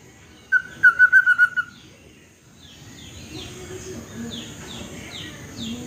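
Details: Wild white-rumped shama from the forest of West Aceh, a varied songster that mimics a hen after laying; here a quick run of six clipped, even notes, then a faint series of high downslurred whistles over low background rumble.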